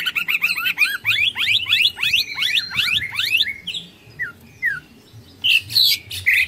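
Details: Greater green leafbird, ngekek tengkek style: a fast cascade of sharp, repeated downward-sweeping chip notes for about three seconds, then sparse slurred whistles and a final burst of harsh chatter.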